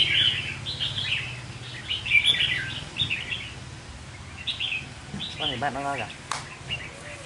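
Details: Decoy red-whiskered bulbul delivering short chirpy warbled phrases over a low background hum, with a man briefly talking near the end and a sharp click.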